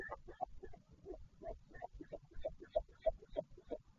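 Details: Northern royal albatross at its nesting colony on Taiaroa Head near Dunedin, New Zealand, during a parent changeover at the nest on 14 February 2019. Short throaty honking bursts repeat about three times a second, evenly paced, with no other clear sounds.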